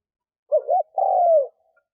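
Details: A lure spotted dove gives one clear coo phrase, used to attract wild doves: a fast two-beat warble, then a sustained coo that slides slightly downward, with nothing else audible.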